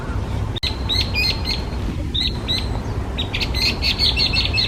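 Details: Hwamei, listed in Japan as a specified invasive alien species, gives clear, high notes in quick repeated series, with a pause mid-phrase before a faster closing run, over constant low background rumble.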